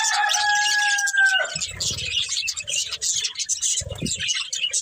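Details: Pair of breeding budgerigars: a steady, clear drawn-out tone opens, then rapid, high, scratchy chirping chatter carries on, with soft low bumps in the background.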